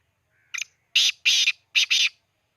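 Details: One loud black francolin phrase recorded at Khushab: a short scratchy lead note followed by two doubled rasping syllables, harsh and even in loudness, with quiet before and after.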